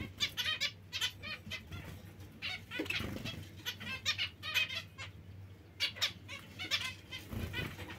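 Zebra finches give a steady stream of short, nasal, trumpet-like beeps, several per second, over a low mechanical hum.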